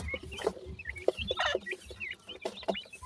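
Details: Francolin (teetar) calls used as a lure for catching the bird, possibly with chicks: short clucking notes and brief high chirps repeated irregularly, with some noisy background.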